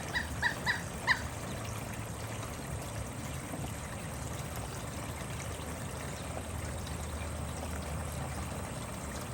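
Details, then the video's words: A pileated woodpecker gives four loud, ringing notes in about a second, which the owner took as warning that he would visit their bird feeder, over a steady low rumble of wind or distant traffic. "Pileated Woodpecker. His call warned the neighborhood that he intended to visit our bird feeder."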